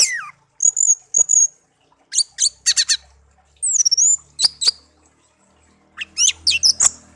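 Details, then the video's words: Pet songbird taken from a garden, hand-raised from young and kept for one year, tame: high, varied song of sharp chips, quick trills and a slurred descending whistle in short bursts separated by pauses. "burung kicau peliharaan"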